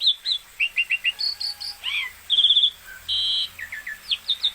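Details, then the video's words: Energetic Asian pied starling song mixing quick repeated chirps, a rising two-part whistle, rattling buzzy phrases and sharp upswept notes in a busy, varied sequence. "Burung Jalak Suren gacor mantap"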